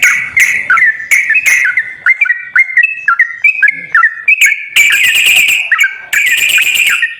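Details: Sooty-headed bulbul whistled phrases used to encourage a quiet bird to sing. Fluty notes step up and down in pairs, then give way to two long, harsh, buzzy rattles near the end.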